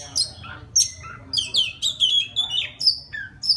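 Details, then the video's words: Forest Oriental magpie-robin calling a mate with a brisk run of clear piercing whistles, downslurred and upslurred notes following each other rapidly, interspersed with scratchy flourishes; low hum underneath. "Tiếng choè than rừng hót gọi mái"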